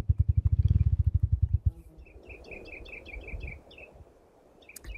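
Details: A male Spruce Grouse in remote Alaska drums in his mating display, flapping his wings rapidly: a run of deep, muffled thumps lasting under two seconds. A small bird chirps repeatedly afterward.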